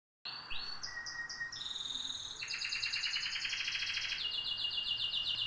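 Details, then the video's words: Canary song made of rolling trills that hold steady pitches and then switch to new levels, a fast, even pulse of rapidly repeated notes with faint background hiss. "طيور الكناري"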